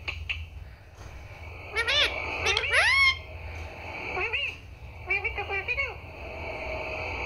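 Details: Talking pet parrot repeating the words "Mummy" and "Papa": clusters of squeaky, wavering voice-like syllables in three bursts, one ending in a thin rising whistle, with a steady high background tone.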